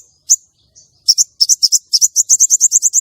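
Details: A female common iora gives a lure call meant to arouse male contest birds and draw them to a trap: a rapid, accelerating run of shrill high chirps, a few spaced notes first, then a steady quick series.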